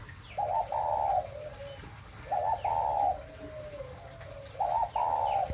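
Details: Breeding spotted dove, 'mã phân hồng' strain, repeating its cooing song three times, roughly every two seconds: each a short stuttered coo followed by a longer, fuller, slightly falling coo, with faint low hum behind.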